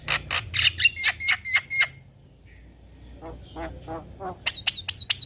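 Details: Javan myna master song used to train young mynas. Loud rasping notes and quick whistled slurs come in a burst, then a quiet pause, then softer chattering and bright rising whistles.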